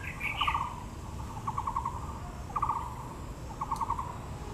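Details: Taiwan blue magpie at Yangming Park, Taipei, among azaleas. Four clipped rattling bursts, each a quick series of pulses, spaced about a second apart, with a brief squeaky note at the opening.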